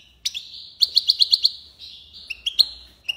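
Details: Tiwawati-style song of a European goldfinch from Algeria: a quick run of six evenly spaced ringing notes, then a few twangy chirps and a slurred ending.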